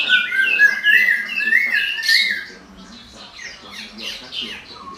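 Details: Songbird singing: a run of clear whistled, slurred notes sliding up and down, loud for the first two seconds, then fainter scattered chirps and a short low whistle at the end.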